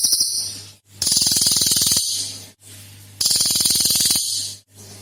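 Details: Song of a mature cililin, recorded as a lure to set other birds singing: two harsh, rapid pulsing trills, each about a second long, separated by quieter pauses, with a constant low hum behind.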